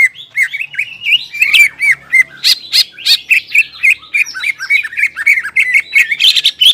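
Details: Greater green leafbird song intended to stir stressed, silent leafbirds; a long, fast run of varied whistles, chirps and slurred notes, several per second, growing denser and more excited toward the end, with a faint low hum underneath.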